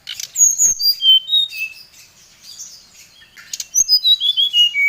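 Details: Oriental magpie-robin lure song calling a rival, agitated: quick bright whistles dropping in pitch, softer twittering in between, then a fresh cascade of descending whistled notes ending lower.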